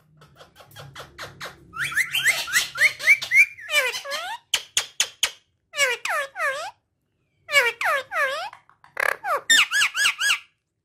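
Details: A talking parrot kept as a pet chatters in long runs of quick clicks and squeaks, mixed with arching whistled notes and sliding squeals in several bursts.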